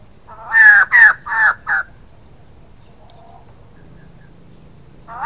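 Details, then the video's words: Female White-crested laughingthrush calling: four harsh, chattering notes in quick succession, then a long quiet stretch with faint background hum and a brief final note starting at the end. "White-crested laughingthrush female sound 02"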